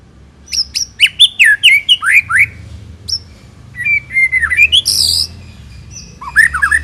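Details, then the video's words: Ngekek song from a white-rumped shama in full voice: sharp chips and slurred whistles in short bursts, a harsh high rasping note midway, over steady low background hum. "kicau/suara Murai batu gacor | murai Batu ngekek"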